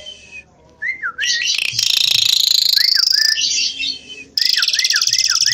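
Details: Singing Javan pied starling: curling two-note whistles break into a long, loud, rasping buzz, then a run of quick, wavy whistles repeated about three times a second.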